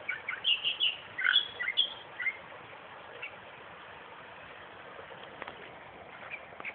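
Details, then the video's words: Western reed warbler singing in a suburban park 20 km south of Perth, a burst of chattering, grating notes and whistles over the first two seconds, then near quiet with faint background hiss. "Rare Western Reed Warbler..."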